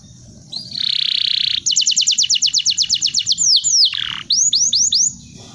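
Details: Canary song used as a tutor recording for training birds: a sustained buzzy trill, then a fast run of rapid descending whistled notes, followed by swooping downward slurs and a few looping rising-falling whistles, all high-pitched and loud.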